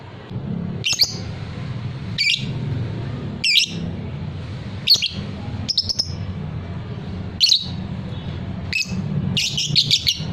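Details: High, squeaky lovebird chirps from a fighter-type bird known for ngekek trilling, repeated every one to two seconds and ending in a quick chattering cluster, over a low rumbling hum.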